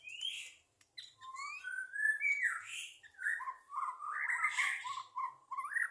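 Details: White-rumped shama singing at a songbird competition in 2023, a varied run of clear whistled phrases and slurred notes sliding between mid and high pitch, with short pauses and quick changes of phrase.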